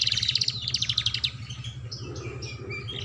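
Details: Canary song meant to prompt young canaries into singing: about a second of fast, loud, high chipping trills, then quieter scattered whistles, over a steady low droning hum.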